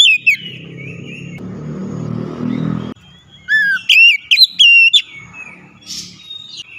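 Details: Oriental magpie-robin song used as a lure to get a quiet bird singing: whistled rising and wavering notes in a burst after a stretch of low rumbling background noise.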